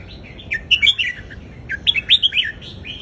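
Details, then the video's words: Southern Thai folk-style song of a caged Indonesian red-whiskered bulbul, played to teach young birds and rouse others: two cheerful phrases of fast, bubbling, slurred whistles separated by a short gap. "นกกรงหัวจุกอินโดเพลงพื้นบ้านนกใต้เพราะๆ เปิดสอนลูกนก ยั้วนกฟังนกคึก"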